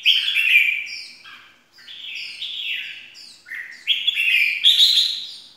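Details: Red-whiskered bulbul used as a lure bird: bright, high, chattering, warbled phrases of several slurred notes, repeated in quick bursts with short gaps, loud and clear against a quiet background.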